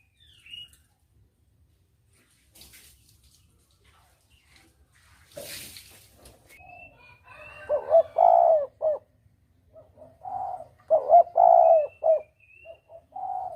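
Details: Spotted dove hunting lure: after a quiet start with two sharp noise bursts, repeated three-part coo phrases, short-long-short, follow one after another, with faint high whistles of other birds.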